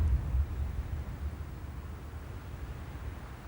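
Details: Only a low, steady rumble like distant traffic or wind is heard, with no animal voice.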